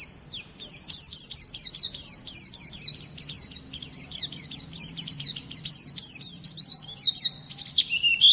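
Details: Oriental white-eye singing a long, unbroken run of fast, high, chattering, twittering notes, ending in a buzzy burst and a lower note.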